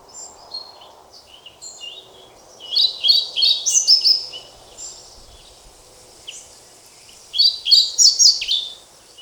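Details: Two separate high-pitched song phrases from a European pied flycatcher, each a quick run of bright, varied chirping notes, with quiet pauses and faint background noise between them.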